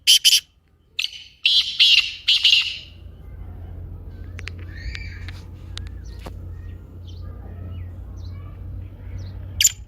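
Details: Black francolin call used to encourage a sluggish caged francolin to call: several loud, rasping, broad notes in the first three seconds, followed by faint clicks and steady low hum.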